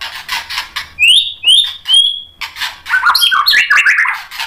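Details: White-rumped shama roused by a rival fighter bird: harsh scratchy bursts, three clear rising whistles, then a fast jumble of warbled and raspy notes.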